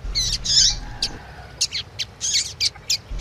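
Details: Double-collared seedeater song of the 'tui tui' type with female chirping, used to get a male singing: a buzzy high trill, then crisp separate chip notes spaced roughly every quarter second.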